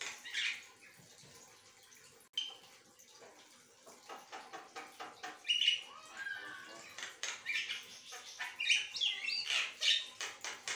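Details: Javan myna singing without pause in a lively chattering run of varied buzzy notes, short whistles and scratchy trills, rising and falling in loudness across the recording, with faint background hum.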